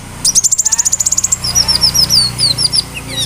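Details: Konin bird singing a mimicking song, cricket imitation among its repertoire, used as a tutor for other songbirds; a fast even high trill of about twenty notes, then a series of slurred downward whistles.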